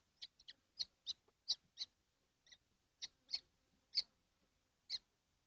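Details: Seven kestrels crowded in a nesting box on a hot June 2025 day, giving about a dozen short, harsh, high-pitched calls at uneven intervals over quiet background.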